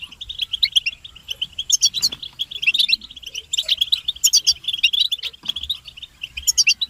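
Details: Group twittering of European goldfinches, called betbeta, presented as the strongest stimulation for males and as mating calls. Quick high chirps stream steadily, with sharper ringing notes bunched every second or so.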